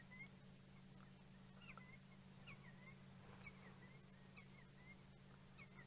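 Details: Senegal lapwings in clearings at Djuma Game Reserve at sunset in golden afternoon light, 28 July 2017, giving short, shrill, slurred notes every half second to second over a steady low engine hum.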